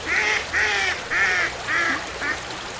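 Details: Duck giving five loud, nasal quacks about half a second apart, each a harsh, buzzy note with strong harmonics over light background hiss.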